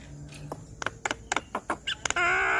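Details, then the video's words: Javan myna, a recording meant to make a stressed kept bird sing freely: a series of short harsh clipped notes at uneven gaps, ending in a loud sustained nasal buzzing tone. "Terapi Jalak Kebo Stres Agar Cepat Gacor Dengan Kicauan Jalak Kebo Makun gacor Bongkar Isian"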